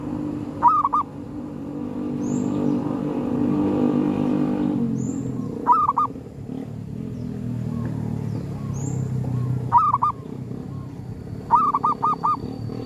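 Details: Zebra dove call, used while hunting and luring wild birds at a cemetery: short bursts of quick, evenly spaced cooing notes in a mid pitch, repeated every few seconds, against a rumbling background and a faint high tone.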